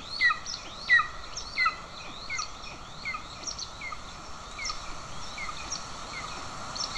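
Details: At a golden eagle nest in Estonia, 20 June 2024, the mother feeds an aggressive chick as the father brings a bird; a few louder sharp, falling chirps open, then fainter repeated chirps continue over constant hiss.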